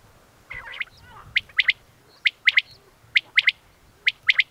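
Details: Male Common quail (Coturnix coturnix) song: a sharp, liquid three-note 'wet-my-lips' phrase, repeated about once a second after a few softer opening notes.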